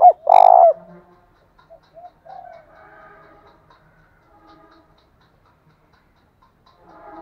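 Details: Spotted dove used as a decoy against wild doves, with the tail of a phrase: a short note and a loud, long, falling croo at the start, followed by scattered faint coos and soft background sounds.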